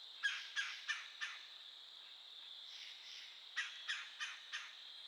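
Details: Calling woodpecker produces two bursts of four hard, clipped notes each, evenly spaced and slightly fading, over a continuous shrill insect chorus.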